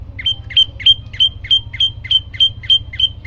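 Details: Olive-backed tailorbird (prenjak lumut) in lively, varied song: about ten crisp, ringing notes delivered quickly and steadily, each a short rising flick ending in a bright whistle, over a constant low hum.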